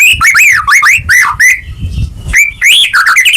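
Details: White-rumped shama song played to prompt a silent caged bird: bouncy looping whistled notes rising and falling in quick succession, a brief pause, then more swooping whistles.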